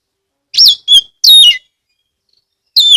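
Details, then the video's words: A Central Javan Oriental magpie-robin from Ambal, Kebumen, sings to draw other magpie-robins into song. Three clear, high whistles come in quick succession, the first arching up then down, then a fresh phrase begins after a brief pause. "pancingan kacer gacor"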